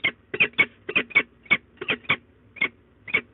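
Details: Two peregrine falcons at their nest box in De Mortel, Netherlands, midday, 13 April 2022: sharp, hoarse, chipping notes given singly and in doubles at an uneven pace, roughly two each second, over a low background hum.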